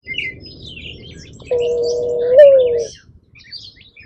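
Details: Single drawn-out mourning dove coo, low and steady with a slight upward lift near its end, while small birds chirp faintly and high in the background.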